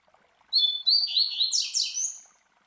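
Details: Tutoring song of a master Coleiro, classic Tui Tui Zel Zel: two crisp high whistles, a buzzy warbling run, then several sharp descending slurs and a trailing whistle; background quiet.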